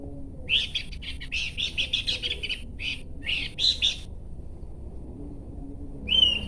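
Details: Horsfield's babbler giving rapid harsh, buzzy chattering bursts in quick series, followed by a pause and then one clear whistled note at the end, over low background rumble.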